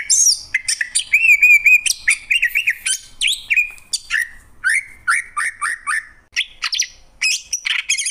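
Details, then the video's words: Cucak ijo, the greater green leafbird, sings a varied, fast medley of looping whistled phrases, sharp chips and high squeaky notes with hardly a break. "Cucak ijo, suara kicauan burung yang indah."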